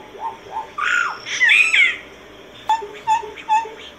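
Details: Singing solitary cacique: a few soft hooting notes, then loud slurred, whistled phrases, followed after a pause by three sharp clipped double notes evenly spaced.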